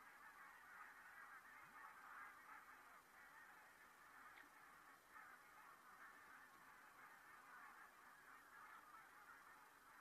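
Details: A flock of geese flying over Saastna on 4 November 2018, many nasal honks blending into a continuous, distant chorus, with no clear break over the whole stretch.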